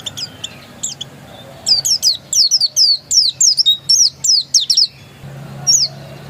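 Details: Oriental white-eye of the pleci dakun type, described as still original: a rapid series of high, thin, downslurred whistled notes in bursts, with a pause at the start and a few scattered notes near the end, over a faint low hum.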